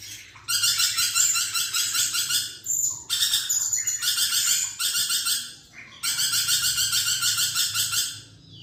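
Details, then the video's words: Lorikeet calling continuously, recorded for use as a tutor for songbirds: raspy, rapidly ticking bursts run almost without pause, broken by brief breaks, with a few short squeaky notes among them. "BURUNG NURI PERKICI GACOR"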